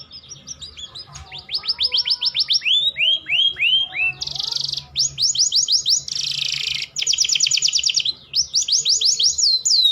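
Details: Canary song used as a mating lure to raise breeding drive in sluggish males: rapid trills of descending whistled notes, buzzy rolled phrases and sweeping slurs, repeated roughly three times per second, with a faint low hum beneath.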